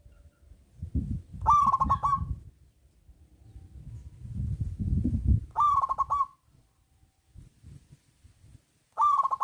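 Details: Local zebra dove with a big voice, luring reluctant doves to sing: trilled coo phrases every few seconds over intermittent low rumbling background noise.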